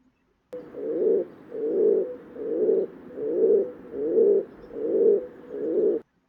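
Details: Pigeon (kabutar in Hindi) cooing: seven soft, low, rounded coos repeated evenly, about one every 0.8 seconds, each swelling and fading, with no other sounds audible.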